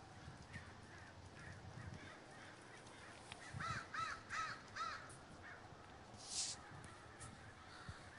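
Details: Flocking crows at Davis, California, with faint background cawing, then a clear series of four rasping caws at a steady pace, followed by a brief hissing burst and scattered distant calls.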